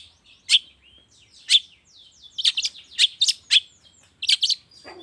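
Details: Long-tailed shrike lure sound for the morning: two separated sharp chirps, then clusters of quick bright notes with soft thin whistles between them.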